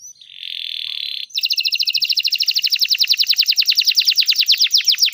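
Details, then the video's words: Canary song used as a tutor recording for young canaries learning to sing: a steady, buzzy high tone held for about a second, then a rapid, even trill of sharp repeated notes, roughly seven per second, for the rest of the clip. "Canary Beautiful Singing"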